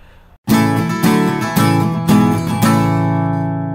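Strummed acoustic guitar chords ring out in steady, repeated strokes, with no animal sound audible.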